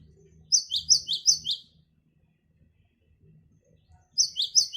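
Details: Great tit song used as a lure for wild birds: a bright two-note phrase, a high note dropping to a lower one, repeated four times at an even pace, then a pause before the phrase returns twice more.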